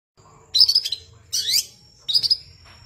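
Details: A long-tailed shrike (Lanius schach) sings three quick bursts of harsh, scratchy chattering notes, high-pitched and jumbled, some trailing into a thin sustained whistle.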